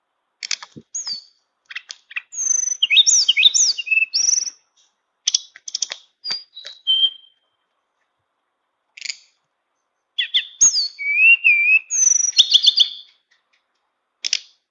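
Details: Flute-like song of a tame Tledekan bird packed with fill phrases: dense bursts of high chips, trills and looping whistles, broken by brief silences, then another rich whistled burst; quiet background.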